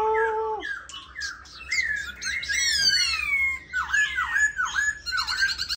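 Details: Pink-legged tame black laughingthrush in a cage: a steady whistled tone that drops, clipped notes, sweeping descending whistles, then four repeated dipping whistled calls and a buzzy run. A faint hum runs throughout.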